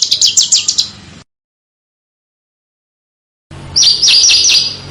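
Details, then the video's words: Small bird song from a training master for competition cage birds: a brief string of quick high chips, a long silence, then a loud burst of fast sweeping whistled notes over background hiss. "Suara BURUNG KECIL !!! MASTERAN BURUNG KECIL TEMBAKAN TAJAM DAN SUPER PEDAS"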